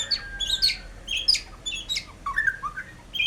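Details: White-rumped shama singing in short bursts of clear whistles and harsher chattering notes, mixing high ringing tones with lower slurred phrases, delivered at a quick pace.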